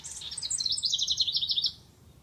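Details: Eurasian wren singing in a garden in 2014: a fast, loud run of high, sharp notes and trills lasting under two seconds, starting very high and settling into a rapid rattling series before stopping abruptly.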